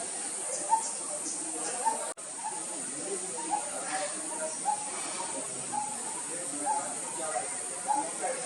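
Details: Coppersmith barbet with low, hollow, repeated notes, somewhat uneven and partly masked by a steady high insect drone, with a brief cut near the start.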